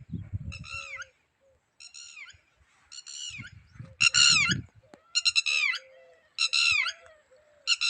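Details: Red-wattled lapwing, shown with its eggs, calling in a run of shrill, grating note bursts roughly once a second, while a softer mid-pitched piping note repeats below and dull thuds sound nearby.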